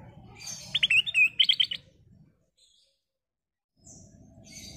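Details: Ruby-throated bulbul (kutilang emas) singing full phrases: a rapid bubbling run of bright, warbled notes that rise and fall, then a pause and faint high chatter, over low background rumble.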